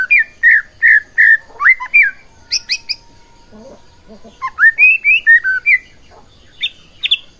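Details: White-rumped shama song to provoke other shamas: a series of rich whistled notes repeated about every half second, harsh chatter, softer low notes, then more warbled whistles.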